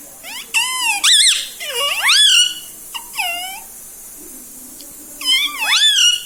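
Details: Pet parrot talking at home, said to repeat mummy, papa and radhe radhe: shrill, bending syllables in quick groups of two or three, a long pause, then a final loud swooping phrase over a faint room hum.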